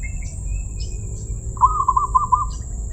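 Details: Zebra dove, praised for a crystal-clear voice, delivering one rapid rolling cooing trill of about six beaded notes lasting a second, over a steady high-pitched hum and low background rumble.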